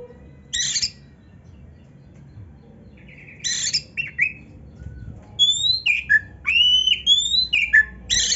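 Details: Singing Oriental magpie-robin, a vigorous songster with varied imitation phrases: harsh rasping bursts early on, then a rapid series of clear, high whistles, upslurs and slurred notes in the second half, over a faint low hum.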